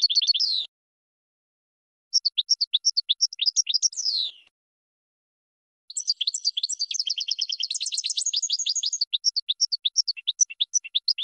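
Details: Goldfinch singing to train other birds: several twittering phrases with short pauses, some ending in descending buzzy slurs. A long, dense, tinkling passage of rapid high notes tapers into spaced chirps.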